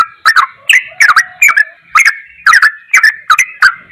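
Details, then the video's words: Yellow-vented bulbul, ropelan goklikan song: spaced, loud gurgling phrases with slurred whistles, around two per second, separated by brief near-silent gaps. "MASTERAN TRUCUKAN TERBAIK || ROPELAN GOKLIKAN TOP"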